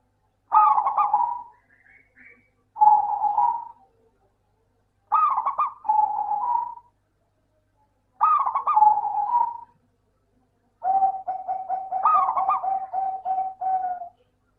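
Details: Local zebra dove song meant to coax lazy doves into singing: four repeated phrases of rapid, bubbling coos, each a trilled burst followed by a softer rolling note, ending in a long, evenly pulsed coo series.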